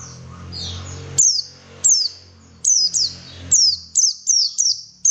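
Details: White-eye song played to coax birds into singing: after a soft twittering start, loud, bright notes that drop steeply in pitch repeat at irregular intervals of about half a second, with a low background hum at first.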